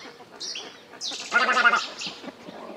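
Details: White egret calls in a recording used as a lure for bird trapping: harsh, gargling, raspy bursts with a loud grating squawk near the middle, then fading rough notes, over a faint background murmur.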